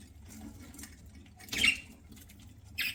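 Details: Pet budgerigar (parakeet) chirping while eating indoors: a short bright chirp midway with rising harmonics, then another brief chirp at the end, over faint clicks and rustling of feeding.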